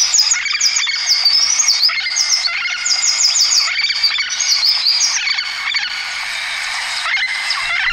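Scaly-naped Parrots give a dense chorus of harsh, squawking and chattering calls with rising and falling notes, several birds calling over one another.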